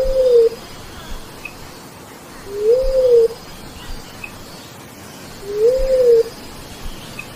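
A bleeding-heart dove gives three low, soft, mournful coos, each gently rising then falling and spaced about three seconds apart, over a quiet forest hiss.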